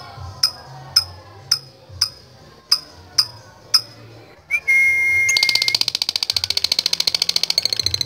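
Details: Lovebird in 'latah gacor' singing style, used to call rivals in bird contests: about seven sharp, evenly spaced ticks, a short clear whistle, then a fast, high, continuous chattering trill for the last three seconds.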